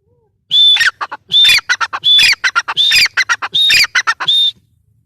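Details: Female grey francolin calling: loud harsh squawking notes grouped in repeated bursts, each opening with a thin high whistle followed by rapid clucking syllables, about five bursts in a few seconds.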